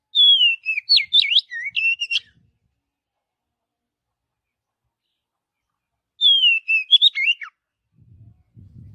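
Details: White-rumped shama singing naturally in a forest, two bursts of rich varied whistles and quick rising and falling notes, each about two seconds long and separated by a long silence, with faint low rumbling at the end.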